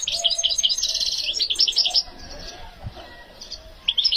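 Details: A hand-reared European goldfinch in strong breeding condition sings a fast, liquid twitter of bright, tinkling notes for about two seconds, falls quiet, then starts again with a short burst.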